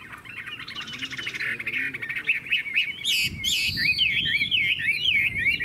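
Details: Caged Chinese hwamei from Vietnam, praised as a loud, fine singer, starting with a buzzy rattling warble, then rising to bright ringing whistles that wander up and down in a long unbroken phrase.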